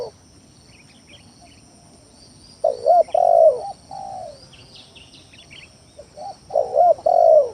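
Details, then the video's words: Lure song of a spotted dove meant to goad lazy or rival doves into calling: two cooing phrases, each a quick double coo then a long drawn, slightly falling coo, with faint distant chirps and steady hum. "Suara Pikat Tekukur Tanah full gacor Nekan lawan"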